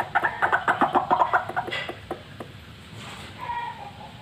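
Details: White-breasted waterhen, a fighter bird said to be ready for luring, produces a short burst of quick throaty croaks during the first second and a half, then fades to faint scattered notes.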